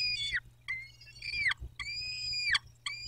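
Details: At the nest on 14 May 2021, a peregrine falcon gives drawn-out whining calls, each held level and then dropping sharply at the end, about four in three seconds, with brief gaps between.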